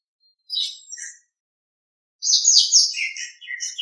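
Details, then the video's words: Nias hill myna on a training master recording: a couple of brief high chirps, a silent gap, then a jumbled run of squeaky, twittering notes dropping in pitch. "Masteran Suara Jalak Nias"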